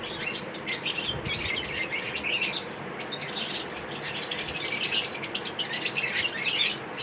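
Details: Lovebirds chirping in a mating ritual, a lively mix of high tweets and rapid twittering from multiple birds, nearly unbroken, with a few louder sharp notes toward the end.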